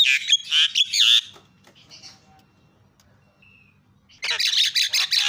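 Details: Lure chatter of a starling to get silent birds singing: a loud raspy burst, about three seconds of quiet with faint whistles, then another harsh, dense run of rapid notes.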